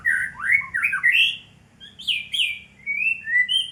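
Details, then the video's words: Shama singing fighter style, loud bursts of rich slurred whistles mixed with sharp chips, trailing into shorter clear whistled notes; steady low hum in the background. "murai batu fighter"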